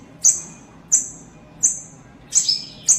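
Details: White-eye held as breeding stock gives sharp, very high chips about every 0.7 seconds. The last notes are doubled into a brief trill, with a quiet steady hum beneath.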